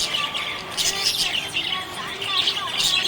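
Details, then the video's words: A pet budgerigar keeps up a busy, happy, high chirping warble, quick twittering notes tumbling over each other with faint music-like tones underneath. "Happy budgie chirping sound"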